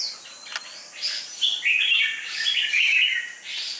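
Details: Red-whiskered bulbul groomed for competition, a 'chào mào mộc đỏ' with a dark bib. After a soft start it breaks into a sustained, rich, warbling phrase of blended whistles, steady in loudness for about two seconds.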